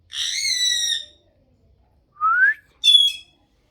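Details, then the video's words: Talking pet parrot producing a long harmonic, voice-like note, then a brief rising whistle and a short nasal syllable after a pause. "Parrot Video Talking"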